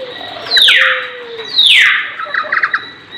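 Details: Lory calling: two loud screechy calls sweep steeply downward, about a second apart, followed by a quick run of short chattering notes. Steady background hiss throughout.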